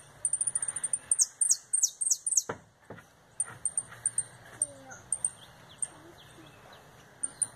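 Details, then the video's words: Canary returning from molt giving retinido song with a quick 'virada': a brief burst of four or five ringing, downward-sliding metallic notes, then scattered thin high ticks and chips, with a couple of dull knocks in the background. "Canário retinido"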